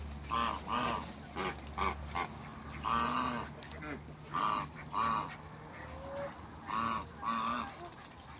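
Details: On a farm, three African geese give scattered nasal honks in pairs and short bursts, with quiet spells between and a low background hum.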